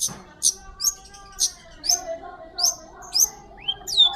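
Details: Long-tailed Shrike giving clear song for tutoring magpie-robins: thin, sharp high chips spaced about half a second apart, ending in an upslurred whistle, over faint steady low tones in the background.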